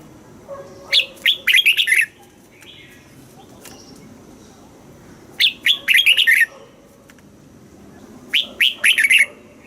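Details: Caged red-whiskered bulbul singing in the southern master style, played to excite caged birds and teach young birds; short bursts of bright, warbled whistled notes, three phrases spaced about three seconds apart over a quiet background.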